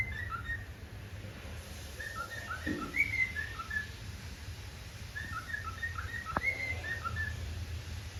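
Cockatiels whistle in short clustered phrases with a few sharp rising notes over a low rumble.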